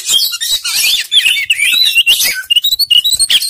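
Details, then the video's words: Oriental magpie-robin (kacer) song played as a lure to coax a reluctant bird into singing: a loud, fast, unbroken jumble of high whistles, chattering trills and sliding notes, ending in a run of short clipped phrases. "Pancingan Kacer males bunyi"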